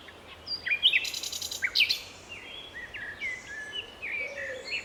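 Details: Common nightingale singing in May 2012 in a city park in Strzelce Opolskie, Poland: sharp clicking and rattling notes followed by scattered whistles, with other birds twittering softly in the background.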